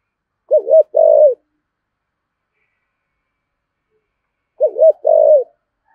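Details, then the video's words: Decoy spotted dove in the 'giọng thổ' style: two soft, low cooing phrases about four seconds apart. Each has a quick doubled note and then a sustained hum-like coo. Nothing else is heard. "Chim Cu Mồi/ cu gáy giọng thổ thúc gù"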